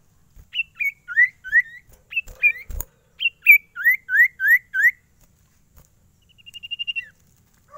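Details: Caged sirtu, an Ashy Tailorbird, in lively varied song: bursts of sharp rising chirps grouped in runs of four or five, a knock midway, then a quick rapid trill near the end.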